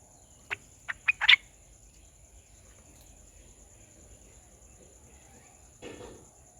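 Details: A green parrot visiting a garden gives four quick, harsh squawks that run together, then a single softer, raspy note after a pause of several seconds, over a steady high whine.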